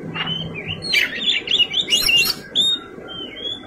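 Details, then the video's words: Oriental magpie-robin (kacer) in vigorous fighting-style song rich in fill-in phrases: a quick run of varied whistled, slurred notes rising and falling, with harsh broadband bursts between them and a low steady hum underneath. "Kacer gacor tarung isian mewah"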